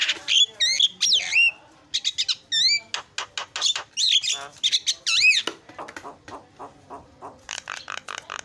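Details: Energetic starling song, used as a lure to set other birds calling: varied swooping whistles, harsh squawks and clicking notes in a fast, irregular medley, with short pauses between bursts.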